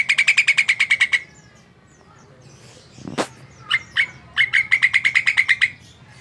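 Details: Jalak (starling) singing vigorously: a fast burst of about a dozen sharp, even chips, then near silence and a single click, then another rapid chipping series at a similar pitch.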